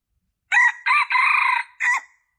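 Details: Junglefowl crow used as a lure for attracting males. A short hoarse note and a second note lead into a long, steady, raspy drawl, then a brief closing note that trails off. Clean and quiet between calls.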